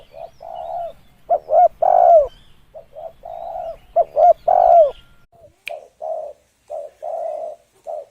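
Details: Spotted dove calling for use as a lure: a loud phrase of two short clipped notes and a long, slightly falling coo, repeated, then a softer run of short and drawn-out low coos; one sharp click partway.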